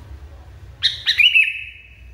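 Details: Agitated sooty-headed bulbul: after a quiet lead-in, two harsh abrupt notes run into a drawn-out, steady whistle that slowly fades. Faint low hum underneath.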